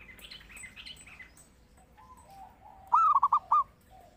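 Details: Zebra dove (perkutut) in energetic song, a master call for training or luring; one crisp phrase of five quick looping coos, preceded by thin high chirps from another bird.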